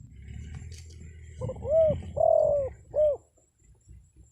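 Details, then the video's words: Spotted dove call used to lure wild birds into answering: a short hollow coo, then a longer level coo, then a brief rising-falling final note, loud and close, over a faint low hum. "SUARA PANGGILAN TEKUKUR PIKAT, BURUNG HUTAN PASTI NYAHUT"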